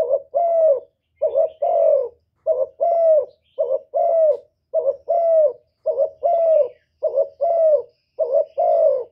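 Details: Spotted dove (cu gáy) calling, urging and cooing: steady run of short two-part coos, each a brief lead note then a longer hollow falling coo, repeated about once per second with little background noise.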